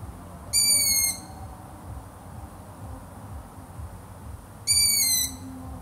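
Long-eared owl giving two high, thin, squeaky calls, each about half a second long and slightly falling, four seconds apart over a low steady rumble.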